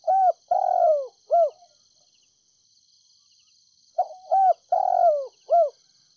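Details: Spotted dove used as a lure bird in Ninh Thuận, Vietnam, calling softly to attract wild doves. Two matching phrases of low hollow coos, each a short note, a long drawn, slightly falling coo and a closing note, separated by a silent gap. Insects buzz faintly.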